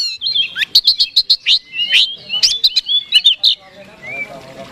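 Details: Kacer, the Oriental magpie-robin, singing to goad a rival bird: a rapid run of sharp chips and whistled slurs, then a brief soft trailing note with faint background noise at the end.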